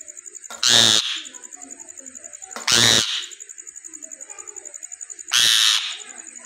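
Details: Indian ringneck parrot, a green parrot, talking: three loud, harsh, speech-like bursts about half a second each, roughly two seconds apart, over a steady faint high whine and quiet background.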